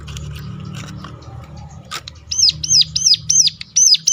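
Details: After a stretch of background hum and faint chirps, a hill prinia launches a quick series of about seven loud, sharp, arching notes. The call is used to provoke other birds to sing.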